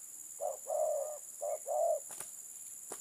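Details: Spotted dove (terkukur) giving two short-long coo pairs, low and mellow, followed by a couple of sharp clicks against a constant high hiss.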